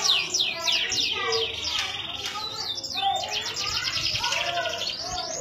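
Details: A canary (Serinus canaria), recorded in Indonesia, sings a long, unbroken song of rapid high trills, rolling chops and bright whistled slurs, changing phrase every second or so.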